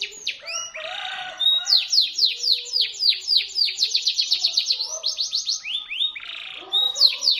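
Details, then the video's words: Local caged canary with a shrill, piercing voice, used as a tutor for white-rumped shamas and to spur silent canaries into singing: fast rolling trills of high downslurred notes, several per second, broken by buzzy rattles and brief whistles. "suara asli kenari gacor cepat masuk untuk masteran murai batu tembakan tajam pancingan kenari macet"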